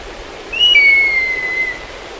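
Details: Black kite in Kemerovo, Russia: a single clear whistled call, a short rising note that breaks into a long, steady, slightly falling tone lasting about a second, over a soft rushing background.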